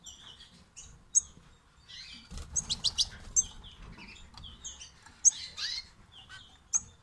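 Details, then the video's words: Young European goldfinches, fledglings, giving thin high twitters and short chirps, with a louder rapid cluster of sharp notes in the middle and scattered single tweets, faint fluttering sounds underneath. "saka yavruları akgerdanlar"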